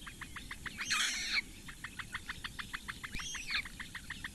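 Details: Eurasian bittern chicks at a Latvian webcam nest on Lake Engure, four young fed by the female in May 2017, tick rapidly while two short rushing, scraping bursts break in around the first and third seconds.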